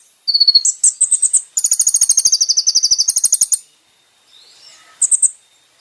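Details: Kolibri ninja (olive-backed sunbird) song used for training caged birds: a high sliding whistle, then short high chattering bursts and a sustained rapid buzzy trill, ending in a brief high chirp after a pause.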